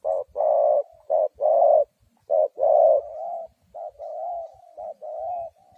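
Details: Spotted dove used as a ground lure bird for trapping wild doves, giving low hoarse coos: short notes alternating with longer drawn ones, loud at first, then a softer run of connected, wavering coos.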